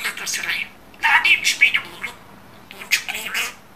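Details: A pet budgerigar, described as a very talented talker, speaking in Turkish. Short raspy, speech-like bursts of chattering syllables come in three groups separated by brief pauses, inside a small quiet room.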